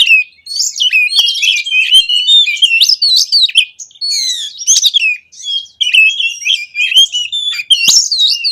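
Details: Oriental magpie-robin singing a long, busy lure song: rapid, varied whistled notes interleaved with scratchy buzzes and clicks, phrases linked with only short pauses.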